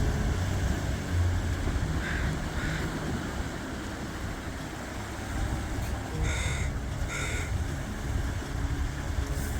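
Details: An American crow in Totem Park, Sitka, Alaska, gives harsh, nasal caws in two pairs, the second pair louder, over a steady low rumble of traffic.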